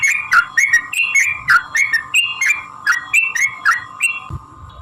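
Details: Sooty-headed bulbul song, a lure to prompt other bulbuls to answer: a rapid run of short bubbling notes, each quickly rising or falling, about four a second, fading at the end, over a constant hum.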